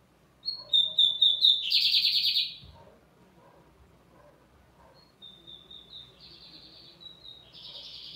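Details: Lined seedeater singing steadily: a few clear whistled notes held near one pitch, then a loud buzzy, rattling trill; after a pause, more soft whistles lead into further buzzy phrases.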